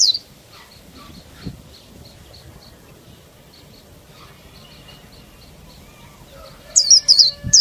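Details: Female Oriental white-eye giving faint, thin, high ticking notes in a quick series, then a sudden loud burst of very high, twittering song at the end; used to stimulate other white-eyes to sing.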